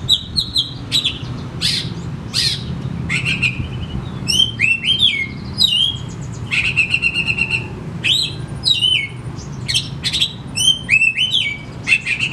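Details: Oriental magpie-robin song used as a lure to get lazy, silent home birds singing: a rich run of varied whistles, slurred downward notes and buzzy rattling phrases in quick succession, over a steady low hum.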